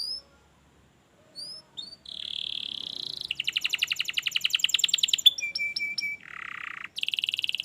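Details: Canary singing for training a lazy canary to start: thin whistles, a sustained buzzy note, a long rapid rattling trill, steady pure tones, a lower buzz and a final fast trill.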